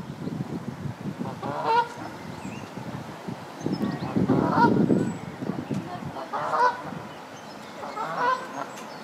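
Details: Canada goose (Branta canadensis) at a nest on the South Pond, Midhurst, West Sussex, England, during egg laying: four loud, nasal, two-part honks about two seconds apart over low rumbling background noise.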